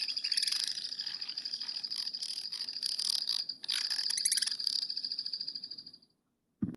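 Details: Black-backed Woodpecker, a species to search for in burned forest, giving its unique rattle call: a long, rapid, high-pitched chattering series with short gaps, stopping abruptly near the end, followed by a brief click.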